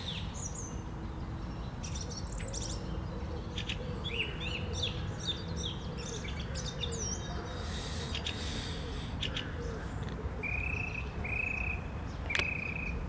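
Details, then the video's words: Song thrush singing on a Sunday morning, 11 April 2021; faint scattered high notes give way to a clear, level whistled note repeated three times near the end, over a steady low rumble. "Śpiew drozda śpiewaka w niedzielny poranek"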